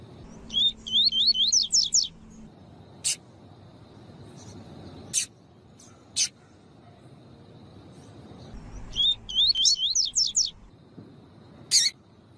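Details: Double-collared seedeater in the tui tui song style, with a female also in the recording, used to train other seedeaters: two short bursts of rapid, rising-falling zigzag whistles about seven seconds apart, plus scattered sharp clicks and low hum.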